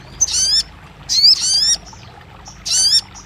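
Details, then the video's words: Sogon or crested jay, from a recording intended to get a mute bird calling: three separate harsh bursts of rising whistled strokes, each about half a second long, spaced by quiet intervals. "TERAPI RAJANYA SOGON MACET BUNYI | 1 Jam Langsung Buka Patuk & Nyahut!"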